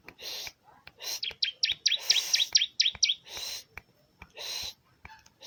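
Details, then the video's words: Bar-winged prinia song: a quick string of about eight high, dipping chirps, surrounded by loud hissing bursts and clicks. "BURUNG CIBLEK Mu bakal ..langsung ikutan bunyi"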